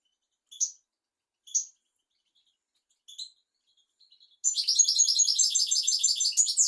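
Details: A European goldfinch sings on a tutor track for goldfinches and canaries: three sharp, high single calls spaced about a second apart, then a sustained fast, buzzy, tinkling twitter of over two seconds.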